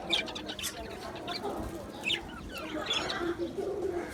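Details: Aviary colony of Australian budgies on 11 July 2025 giving sparse chirps and brief warbled sweeps, with quiet gaps between calls and a steady low hum beneath.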